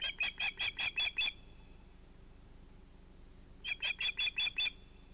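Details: Evening fish delivery at an osprey nest at sunset, 11 August 2018: two loud runs of about six sharp, high, evenly spaced chirps, a second of quiet between them.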